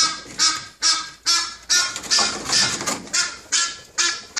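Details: Egyptian goose (Alopochen aegyptiaca), unseen on a chimney, giving loud, harsh honks in a rapid, steady series, about two per second.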